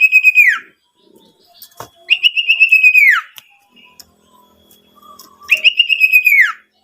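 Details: Owlet used to provoke other owlets to call. Three pulsed whistled trills, each sliding downward at the close, with quiet low murmurs and clicks in the gaps.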